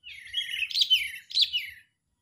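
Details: Sooty-headed bulbul calling as a lure for catching birds, enraged and chattering: a rolling run of slurred chirps with two louder upward-flicked accents, then silence.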